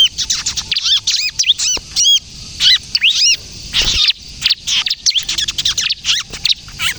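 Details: Kejepit-style song from a bar-winged prinia, used for luring and prompting young birds: repeated arched, high-pitched whistles mixed with quick sharp chirps in short bursts.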